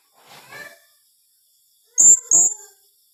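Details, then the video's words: Calling blue-crowned hanging parrot in the dense 'tembakan rapat' style: a soft raspy sound first, then a loud, piercing pair of high squeaks in quick succession. "Suara serindit tembakan rapat"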